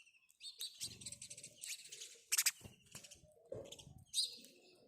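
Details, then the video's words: House sparrow chirping: a dense, almost continuous run of high, scratchy chirps with a few louder accented notes, plus soft lower background sounds. "house sparrow birds call | Call of a House Sparrow"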